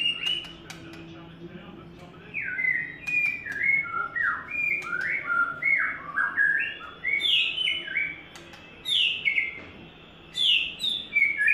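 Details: White-rumped shama in its third molt singing a run of clear, varied whistled phrases, swooping and sliding notes repeated in short bursts that climb higher toward the end, over faint low background hum and occasional clicks.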